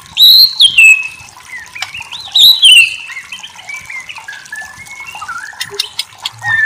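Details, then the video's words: White-rumped shama masteran: bright downslurred whistles twice near the start, followed by a rambling, softer mix of varied short notes and slurs. "Masteran murai batu terbaik"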